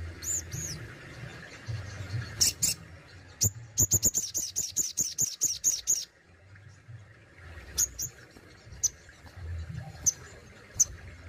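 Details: Kept sogon (Crested Jay) singing its besetan and tembakan styles: a few high arched notes, then a rapid burst of sharp, piercing clicks at about three per second lasting two seconds, followed by scattered single high notes over a low hum.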